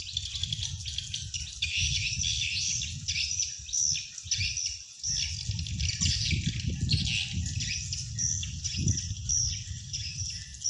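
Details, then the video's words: Swiftlets called in a dense, continuous chattering twitter of high buzzy notes, played back to attract wild birds to a swiftlet house; low rumbling noise underneath. "Sound attracting Swiftlets from the wild easily"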